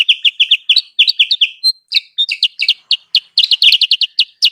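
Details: Sooty-headed bulbul lure call for attracting wild birds: a lively, almost continuous chatter of short bright chirps, some rising and some falling, with a brief gap and a thin high whistle midway.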